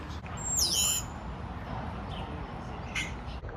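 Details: A common starling at a tree hole gives one bright, wavering whistle that slides downward in half a second, then two faint short chirps over a steady rumble of background noise.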